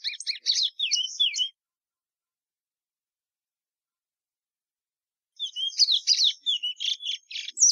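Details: Plumbeous seedeater song in two bursts: a short phrase of chips and slurred whistles, about four seconds of silence, then another fast run of buzzy chirps and whistles.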